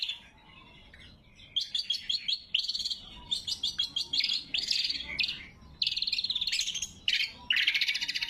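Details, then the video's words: Lesser green leafbird, lure and training song, loud and sharp: after a quiet start, stuttering chips build into varied scratchy phrases and then long fast buzzy trills. "Suara Burung Cucak Kombo Gacor | Masteran & Pikat Cucak Kombo"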